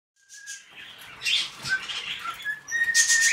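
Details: A pet cockatiel kept indoors in a home gives clear, fairly high whistled notes, some held and some sliding, mixed with scratchy chatter and rustling noise.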